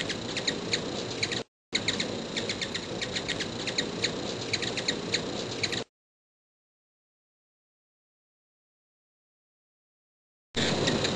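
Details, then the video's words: A hummingbird recorded up close gives rapid, high, thin chips, about four a second, over a steady broad hiss, then a stretch of silence. "Hummingbirds Video ~ Unique Sounds They Make"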